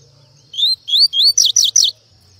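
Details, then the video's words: Double-collared seedeater, coleiro laranjeira, in full song: a short phrase of clear, upward-slurred whistles, then three quick, sharp, downswept notes, loud and clean against a quiet background. "Coleiro laranjeira dando show!"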